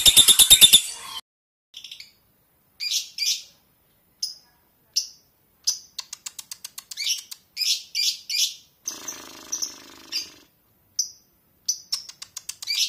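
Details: Lovebird ngekek singing, meant to provoke other lovebirds into song: a fast buzzing trill opens, then repeated short high chattering bursts and sharp chirps follow with abrupt silent gaps between them.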